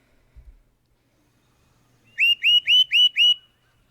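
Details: Tufted Titmouse song variation from Saint Joseph/Elkhart County, Indiana: five clear, slurred whistles, each rising then falling, given evenly about four per second as a quick peat peat peat.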